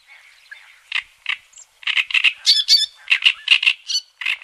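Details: Black-tailed godwits on the Bug River give harsh, clipped nasal calls in quick irregular bursts, sometimes doubled, about four per second and building in loudness, with no other clear sounds.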